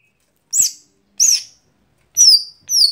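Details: Lesser green leafbird, called gotri in Indonesian, singing its daily song: four bright whistled notes, the first two arched and slurred, the last two high and sliding downward, spaced about half a second apart.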